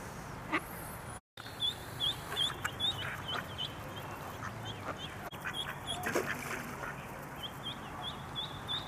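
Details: Scared mallard duckling swimming in a pond, crying for its mother: thin high peeps repeated in irregular bursts over a noisy background with scattered low sounds.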